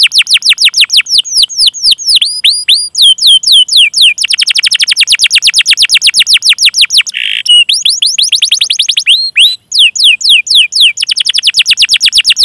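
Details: Canary singing a long chirping, rolling training song meant to prompt other canaries: fast repeated swooping notes in an unbroken stream, a brief harsh buzzy note near the middle, then quick sweeps resume.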